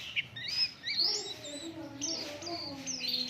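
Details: Oriental white-eye singing as a lure for other birds: sharp, high whistled notes, some rising and some falling, in quick short bursts over a soft, lower steady tone.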